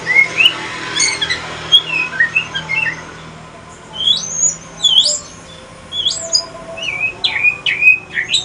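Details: Male Aceh white-rumped shama singing in pastol style, very chatty: soft low warbles early, then loud, sharp high whistled notes with quick upward and downward sweeps, spaced about half a second apart toward the end.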